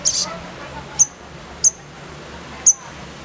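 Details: Little spiderhunter (sogon), a 'nembak kasar' lure for pet birds: a brief noisy burst opens, then three isolated sharp high-pitched chirps at irregular intervals over quiet background hum.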